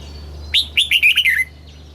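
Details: Red-whiskered bulbul song in a southern Thai master style, used to stimulate caged birds and teach young birds: a quick phrase of five or six clear, warbled whistled notes falling slightly in pitch over about one second, with a faint low hum behind.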